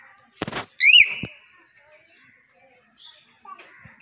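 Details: Talking common hill myna: sharp clicks, then a loud ringing whistled note that rises and falls and slides down into a softer drawn-out tone, followed by faint quiet murmurs.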